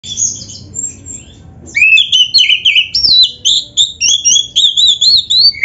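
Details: Oriental magpie-robin singing energetically in a 'gacor full isian' style, a training recording for caged birds: faint low hum, then loud, rapid, varied whistled phrases, some rising and some falling, about three or four notes per second.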